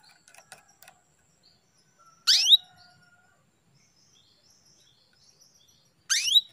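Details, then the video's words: Female canary call for arousing a male into breeding condition: faint scattered ticks, then two strong, high notes sliding steeply downward, spaced about four seconds apart. "CUITAN KENARI BETINA MEMANCING BIRAHI JANTAN JADI CEPAT GACOR"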